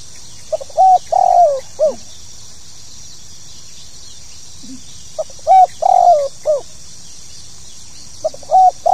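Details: Spotted dove (tekukur) calling in the pokal tanggung style, a lure call meant to make new birds start calling: three low, mellow cooing phrases, each a short note then drawn-out falling coos, spaced about four seconds apart over steady high hiss.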